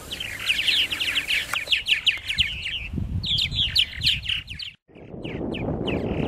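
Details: Colony of purple martins at their nesting gourds, Lake Mackintosh, Gibsonville, North Carolina: busy bursts of rapid chirping and chortling notes, a brief dropout near five seconds, then low rumbling noise with a few more chirps.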